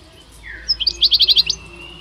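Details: At the Rumbeke bird fair on 16 October 2021, one of two male European goldfinches gives a short burst of six or seven quick, evenly spaced high chirps after a soft slurred note.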